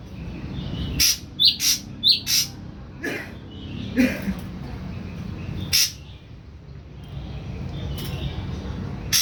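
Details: Caged young ashy drongo, three weeks in captivity on pellet feed and just beginning to sing, gives a cluster of short upslurred whistles and harsh clicks, then scattered single notes against steady low hum.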